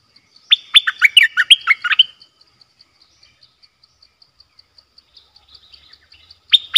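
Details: Decoy bulbul singing, 18 December 2021: a rapid, jumbled phrase of clear falling and rising whistles lasting about a second and a half, a pause filled by steady high ticking, then the phrase starts again.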